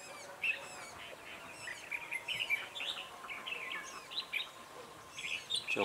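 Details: Decoy red-whiskered bulbul at a bird trap, singing to draw in wild birds: a lively run of clear whistled chirps and fluty warbles in close succession, with occasional higher squeaky notes.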